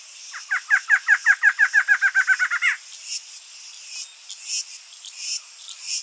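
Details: A barred antshrike sings a loud, accelerating string of about fifteen hooked, nasal notes, ending abruptly on a rising, emphatic note. Pulsing insect calls fill the remaining seconds.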